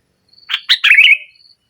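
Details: Sooty-headed bulbul delivering one nggaruda-style phrase used to press rival birds: two quick emphatic notes rising into a fluid, bubbling warble that tails off, with a faint high thin whistle before and after.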